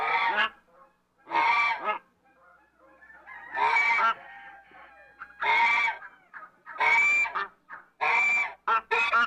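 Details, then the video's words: An African goose, a domestic swan goose breed, gives loud, harsh, nasal honks in bursts about every one to two seconds, with softer gabbling between them. "African Goose Calls"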